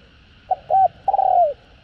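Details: Spotted dove calling with urging and cooing, meant to stimulate newly caught birds; one phrase of a short low note, a held note, and a long wavering coo that slides downward at the end.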